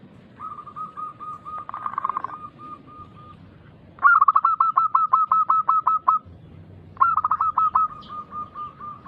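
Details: Zebra dove of local stock singing loudly as a lure for other doves: steady trains of fast repeated coo notes, with two louder bursts of about a dozen crisp notes each, over background rumble.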